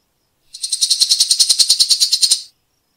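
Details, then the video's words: A single two-second harsh rattle from a grey-cheeked bulbul, in the rough besetan style called tembakan rapat, made of about eighteen fast, evenly spaced hissing pulses that fade at the end. "masteran Tembakan Rapat Besetan kasar cucak jenggot"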